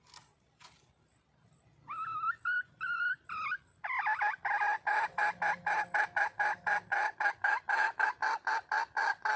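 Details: Wild red junglefowl hen calling for a male: a few short upslurred notes, then a loud insistent run of harmonic clucking notes repeated about four times a second, with faint low hum behind.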